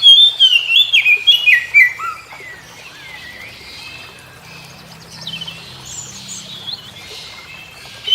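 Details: Oriental magpie-robin singing in the morning, answering other magpie-robins: a loud burst of whistled, warbling phrases around the first two seconds, then a quieter stretch with softer distant warbles and a brief return at the end.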